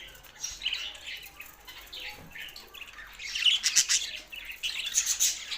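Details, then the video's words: Budgerigars sing with a soft warble at first that builds into louder, fast chirping chatter and squeaky notes. "Budgies Sounds for Lonely Happy singing"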